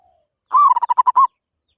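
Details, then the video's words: Zebra dove giving a call of the katok banir style: one long, slightly rising then falling note followed by a quick run of about six short, clipped, rolling coos, all at one steady pitch. The background is quiet. "Suara Burung Merbok Katok Banir"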